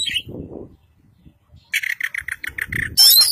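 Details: Kacer Poci, the white-breasted Oriental magpie-robin of East Java, caged and trained in full isian style. A rhythmic row of about nine even, mid-pitched chirps, then a sudden shrill rasping burst, with a faint low murmur underneath.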